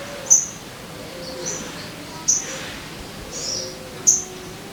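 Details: Lure recording of a sogon for prompting caged birds to sing: three shrill, very high clipped chirps spaced about two seconds apart, with faint softer notes between and constant low hiss.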